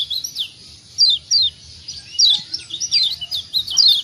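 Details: Lombok white-eye, known locally as kecial kuning, calling to stir other birds to answer: sharp, high descending tweets given singly and in quick pairs, steady throughout, over faint low background hum.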